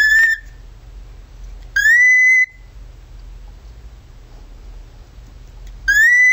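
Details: Male pet cockatiel imitating a siren with long, pure, slightly rising whistles, each lasting under a second, separated by quiet pauses of over a second.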